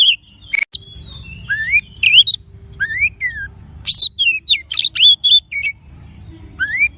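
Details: A master-lure recording of an Oriental magpie-robin (kacer) singing clear, varied whistles, rising slurs and sharp chips in quick bursts, with a faint low hum behind.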